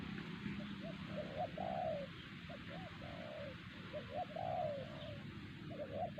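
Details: Wild spotted dove at Siosar, the loudest caller at the trapping spot, where rival doves would not answer. Repeated mellow coo phrases of short notes, each closing in a longer downslurred note, against low rumbling background noise.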